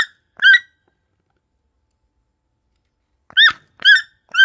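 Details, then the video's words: Toucan chick giving brief, squeaky, nasal notes: two calls, then a silent gap of nearly three seconds, then three more in quick succession; nothing else heard. "Tucano filhote"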